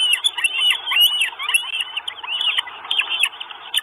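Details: Nestling Northern goshawks at their nest in Estonia, 2 June 2022, on a live nest camera: a steady stream of high, rising-and-falling squeals and chirps, overlapping and restless, with a faint hiss beneath.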